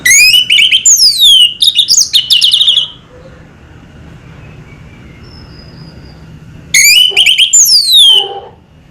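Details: Orange-headed thrush (anis merah) singing in the relaxed 'selow' manner: a loud burst of bright whistled, slurred notes with rich chattering overtones for nearly three seconds, a quiet pause, then a second similar phrase.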